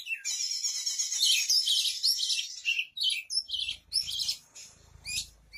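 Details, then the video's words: Oriental magpie-robin singing actively as a vocal tutor: a dense, bright run of rapid chirps and twittering notes, then shorter bursts separated by brief gaps, with faint low rumble toward the end. "KACER GACOR"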